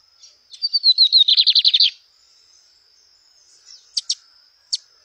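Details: Lined seedeater in nature delivers a descending string of high whistles merging into a rapid pulsed buzzy trill lasting over a second, followed by a pause and three crisp separate chirps.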